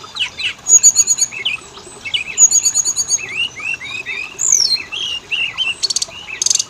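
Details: Kacer, the Oriental magpie-robin, singing in a lure track for making males and females sing: two rapid high rattling trills, a string of short rising whistles, a bright slurred note, then sharp clicking bursts.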